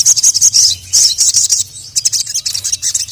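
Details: Sogon (sogok ontong): a female calls a male, who answers angrily. High, thin, rapid chirping in dense bursts that break into quick separate ticks, with a constant low hum underneath.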